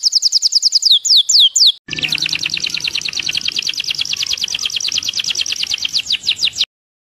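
A Belgian canary sings a run of fast, high, down-slurred whistles, then breaks abruptly into a long, rapid rolling trill, over faint low background noise.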